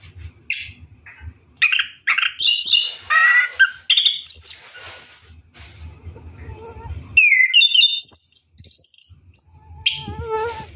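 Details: At night during a bath, an orange-headed thrush pours out a rolling 'ngeroll' song: rapid mixed chirps, buzzy and harmonic notes, then clear whistled slurs, with faint low background hum.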